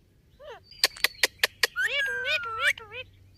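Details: Ringneck parrot mimicking speech, a few warbling word-like syllables, then five loud clicks and a long level whistle running under more chattering, human-sounding phrases.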